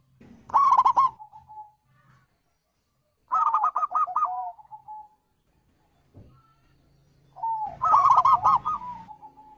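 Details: Wild zebra dove call used as a lure for other birds: three well-spaced phrases, each a quick cluster of rolling coos ending in a drawn-out softer note, with faint low background noise between them.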